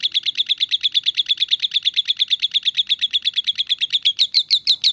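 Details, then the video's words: Lovebird giving the rapid "ngetik" chatter: a steady machine-gun series of short sharp chipping notes, about eight per second for five seconds, even and unbroken, slightly louder toward the end. "Suara Burung Lovebird Ngetik"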